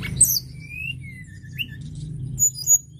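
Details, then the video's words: Sunda robin in lively song, giving soft, rising and falling whistled slurs at moderate pitch, with a few very high sharp notes at the start and end over a steady low hum. "TLEDEKAN GUNUNG GACOR"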